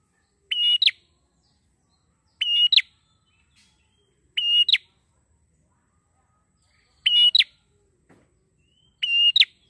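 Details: Energetic prinia singing, played as a lure for training birds: five brief rasping, chattering bursts with a bright ringing edge, separated by gaps of about two seconds, with little else audible.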